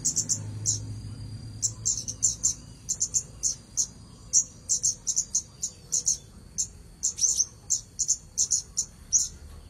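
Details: Red-headed bunting singing continuously: crisp, high, chirpy bursts delivered in quick succession, a few phrases bunched closely together, with a constant faint high tone and some low rumble underneath.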